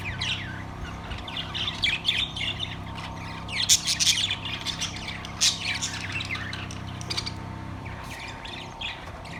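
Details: Budgerigars kept in a cage, recorded September 3, 2023, chattering continuously with scratchy squawks and bright rising chirps in uneven bursts, with a constant low hum underneath.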